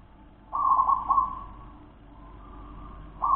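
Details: Local wild-type zebra dove singing: one loud, rolling, purring coo phrase that then trails off quietly before a second phrase starts at the end.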